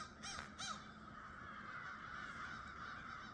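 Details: Crows on a foggy, mild winter morning, calling late: two quick harsh caws close together near the start, then steady faint background hiss.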